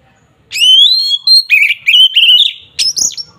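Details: Agitated Oriental magpie-robin song, used to rouse rival birds: a long rising whistle followed by quick warbled phrases and a sharp high ending note, clear and loud.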